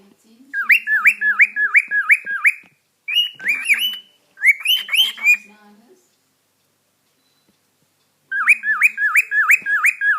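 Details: A male pet cockatiel whistles a bright, rapid series of repeated rising-and-falling notes in bursts, singing to show affection toward a glove he is fond of.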